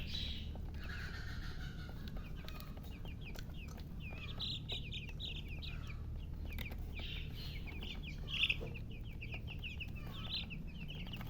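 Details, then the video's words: Chicks wanting drinking water peep in long trains of rapid high downslurred notes, flock-like and continuous, with one loud click and a steady low hum beneath. "Murgi chicks Chirping sounds with thirst for drink water"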